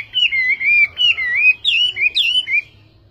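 A Chinese hwamei sings a rich, fast run of loud, varied whistled phrases, swooping up and down, about a dozen notes in three seconds.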